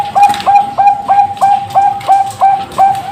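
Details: Caged Bangkok zebra dove from East Java, Indonesia, hatched in 2023, cooing in a steady series of about nine short, bright notes, roughly three each second, each with a brief upward flick.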